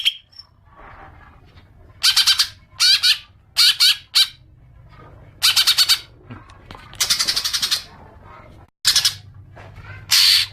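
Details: Green magpie lure call, meant to prompt long chattering: a series of short, harsh, broadband squawking bursts, some paired, spaced irregularly over ten seconds against a faint low hum.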